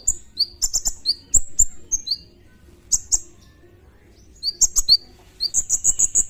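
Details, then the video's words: Olive-backed sunbird tutoring song with 'tembakan' bursts: sharp high upslurred chips and quick buzzy trills in clusters, a pause of about a second and a half, then more chips and a closing fast high rattle, faint low hum behind. "masteran kolibri ninja(konin) full tembakan"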